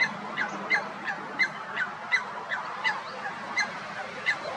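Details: A Eurasian coot repeats short, sharp, metallic notes, more than one a second, over a steady background hiss, in spring on 31 March 2021.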